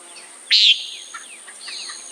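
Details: A single loud, nasal, buzzy call from a common nighthawk. Soft chirps and thin whistling notes follow it.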